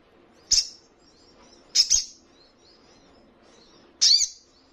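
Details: .Ruby-cheeked sunbird, training recording played so caged birds answer: three sharp, high, downslurred chip notes spaced about one to two seconds apart over quiet low background hum.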